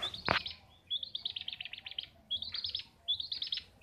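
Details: A kept long-tailed shrike, locally pentet or cendet, singing vigorously (gacor) at home: rapid chattering, warbling phrases of high notes in three bursts, opening with a loud sharp note.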